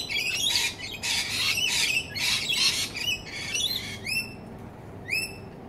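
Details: Australian rainbow lorikeets feeding on fruit near a house: dense, raspy screeching bursts for about four seconds, followed by a few separate clear rising chirps.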